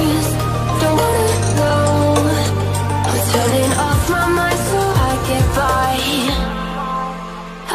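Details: Loud pop music with singing and a deep beat plays throughout, with no animal voice heard.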